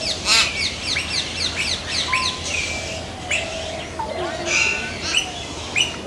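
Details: Hill myna delivering a quick series of about eight sharp upswept chip notes, followed by scattered clear whistles, nasal tones and harsh calls, with other birdlike notes overlapping.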